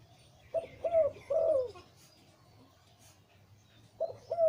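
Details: Breeding male zebra dove with a big, deep voice, liu tan type, giving a full cooing phrase of short notes and a long descending rolled coo, then starting another phrase after a pause.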